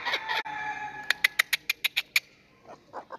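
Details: A pair of Laughing Kookaburras: two harsh opening notes, then a quick run of about eight sharp, evenly spaced cackles, trailing off into softer chuckles.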